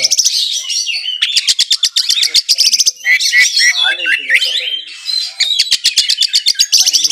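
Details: Oriental magpie-robin (kacer) kept by an owner in Kudus, singing vigorously in full 'isian' style with mimicked sparrow and kingfisher phrases. Loud, rapid bursts of sharp repeated chips alternate with whistled, warbling phrases.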